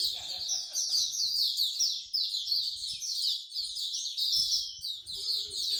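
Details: At a Singapore bird singing corner, songbirds keep up a thick, high-pitched tangle of chirps, trills and rippling phrases, with occasional low voices and knocks underneath.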